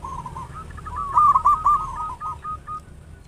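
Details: Local zebra dove singing as a lure meant to quickly start other doves calling. A long, even string of soft purring coos rises in strength midway, then trails off into spaced notes over a faint background hiss.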